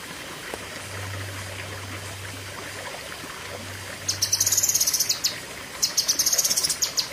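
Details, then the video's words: Cucak kinoi giving 'pedes panjang' song. Near silence with a low hum for about four seconds, then two short bursts of fast, piercing, chattering notes. "Tembakan Ngeri Cucak Kinoi (Pedes Panjang)"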